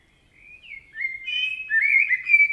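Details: Forest in Spain, a Common Blackbird singing: soft, mellow whistled notes rising in loudness, sliding and slurred, ending in a louder fluty warble; no other sounds stand out.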